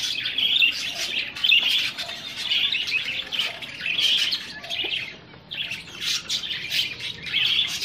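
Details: Budgerigars meeting aggressively chatter loudly with sharp, high chirps and scratchy squawks in pulsing waves. A brief lull comes near five seconds before the chatter resumes.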